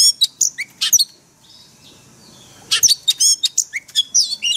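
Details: Oriental magpie-robin singing wild-voice song for daily caged-bird training: bursts of high sharp notes and whistled sweeps, a quiet pause of about two seconds, then another fast, dense run of chirps.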